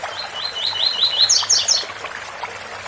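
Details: A tui-tui phrase from a rusty-collared seedeater: evenly repeated swept notes accelerate slightly, then jump to a cluster of sharper, higher notes, over faint background hiss.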